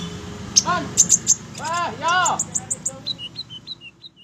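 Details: Fighter olive-backed sunbird singing a few sharp high chips, then a rapid run of short, descending whistled notes at about two per second, after a brief lower rasping phrase in the middle.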